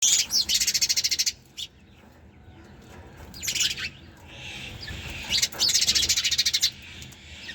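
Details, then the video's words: Sparrows chirping in rapid, dense bursts of high, pulsed notes lasting about a second, separated by short quiet gaps, with a few single sharp chips between bursts. "Sparrows Chirping Sound"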